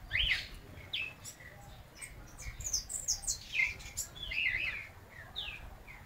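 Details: At midday a White-necked thrush sings briefly; varied whistled and slurred notes, some higher and thinner, delivered in an uneven series with light background noise.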